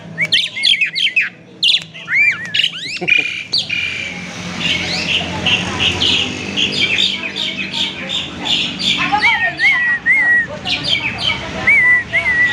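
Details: Captive Asian pied starling giving a varied lure song to provoke singing: rapid harsh chatters and squawks, then repeated short slurred whistles toward the end.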